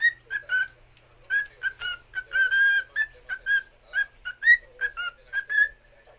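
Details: Pet cockatiel singing to another cockatiel: a quick run of clear whistled notes near the same pitch, some sliding up or down, with short gaps between them.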